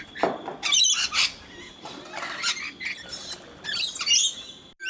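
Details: Hand-fed rainbow lorikeets in Brisbane, Australia, joined by a single scaly-breasted lorikeet, produce scattered shrill, scratchy squeals and chatter, some louder bursts standing out against softer background calling.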